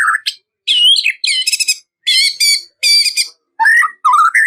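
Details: White-rumped shama song meant to provoke a rival into singing; loud phrases separated by short silences, mixing harsh buzzy rattles with clear whistled notes that slur upward, several bursts over a few seconds.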